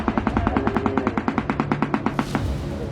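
A shoebill's rapid, hollow clattering: about twenty sharp knocks in two seconds, like a machine gun, over a faint musical background.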